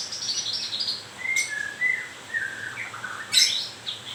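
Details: Singing white-rumped shama during moult: a descending high warble, then a series of clear sliding whistles, a sharp high click and a final short phrase.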